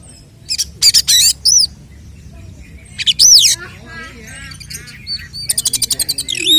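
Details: Oriental magpie-robin in 'tarung konslet' fighting song, a lure to provoke rival males; brief harsh bursts and a high arching whistle, then quieter warbles and a fast buzzy rattle of repeated clicks near the end.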